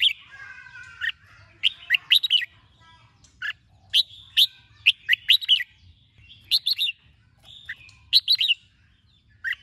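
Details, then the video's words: Red-whiskered bulbul singing in the morning, a bird being trained: a lively series of rapid, bubbling, whistled phrases and chirps, repeated in clusters with short gaps. "chào mào hót sáng QUÁ HAY"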